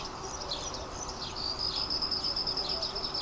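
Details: Red-rumped swallows perched on power lines give thin, high chirping calls. Scattered twitters at first, then a rapid run of short, evenly spaced high notes in the second half, over a steady background hiss.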